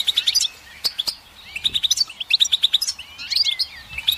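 Goldfinch song: a quick, tinkling twitter of high, bright notes in rapid bursts, with short pauses and a few slurred, buzzy phrases mixed in.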